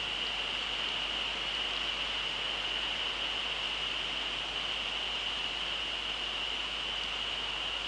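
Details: Steady broadband hiss with a strong constant tone high in the range, lasting throughout; no animal calls are heard.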